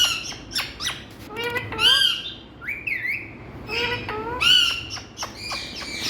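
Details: Indian talking parrots screeching in bursts: clusters of short buzzy chirps build into loud harmonic squawks, with a bent whistled note around the middle, against a low background hum.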